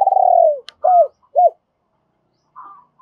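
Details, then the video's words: A long vibrating, downward-sliding coo from a decoy spotted dove in double-voiced calling meant to attract other doves, then two short arched notes and a faint, distant coo. "Tiếng chim cu gay mồi thúc bổi và gáy gọi giọng đôi"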